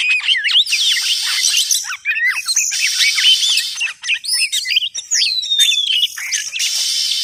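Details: Lure call of the Oriental magpie-robin for trapping: rapid varied whistles, chirps and slurred up-and-down notes interwoven with hissing rasps, briefly pausing, with a long descending whistle near the end.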